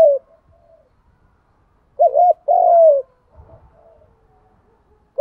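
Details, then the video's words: One clear spotted dove coo phrase in a recording for stimulating male and female doves to coo: a fast wavering note leads into a long smooth falling coo. Faint low thuds come afterward. "tiếng chim cu gáy kích bổi nhanh nổi và gáy theo cả ngày"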